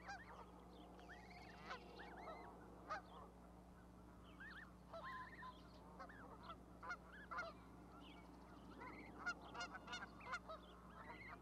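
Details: Goose goslings on an osprey nest platform with a parent brooding them in Charlo, Montana, May 12, 2020; scattered arched, rising-falling peeps, some in quick clusters, over a steady low hum.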